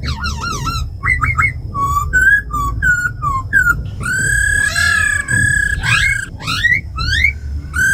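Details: Laughingthrushes kept tame, a female giving ro khẹt calls and a black laughingthrush singing forest voice; varied looping whistles and slurs, a long rich arching note, then quick rising sweeps over low rumble.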